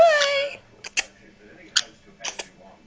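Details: Green-cheeked conure kept as a pet, giving weird hiccup sounds: a human-like wavering note at the start, then several short sharp hiccups in quick pairs, in a quiet room with a low hum.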